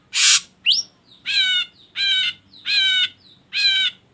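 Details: Ashy drongo song used as a lure to prompt other birds to sing: a harsh hissing rasp, a quick rising whistle, then four nasal, ringing notes spaced under a second apart, clear over faint low background hum.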